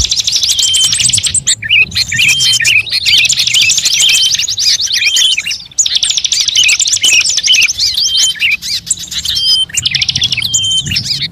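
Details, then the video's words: Bird-luring recording mixing calls of many songbird species: a dense, continuous high twittering chorus of overlapping chirps and trills, with thin drawn-out whistles cutting through and one brief lull midway. "suara pikat semua burung terbaru"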